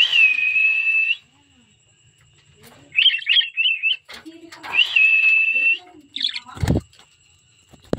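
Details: Cockatiel singing: long, steady whistles held near one high pitch for about a second, alternating with short warbled, wavering phrases, then quiet gaps and a sharp knock near the end.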